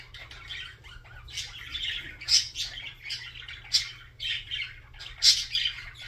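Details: Budgerigar song made of rapid gurgling chatter and scratchy trills, building in the second half with several loud, piercing squeaks spaced irregularly, over a quiet background hum.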